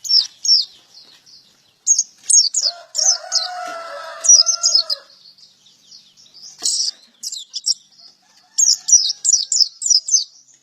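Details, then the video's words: Male white-eye chattering in 'gacor' song ('ngalas ngeplong'): scattered bursts of shrill, quick chirps across the whole stretch, while a rooster crows in the middle. "Burung pleci gacor jantan"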